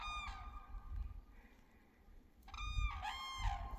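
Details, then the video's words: In Finland in spring, on 15 April 2023, cranes give loud, ringing trumpeted calls: one brief call, then a longer bugling burst after a pause, over a steady low rumble of wind or distant traffic. "Big birds making loud sound"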